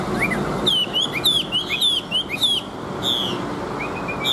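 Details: {'caption': 'Old wild-caught Chinese hwamei with a reputation for good song: bright downslurred whistles repeated in quick succession with high sharp accents, pausing before a final thin level note.'}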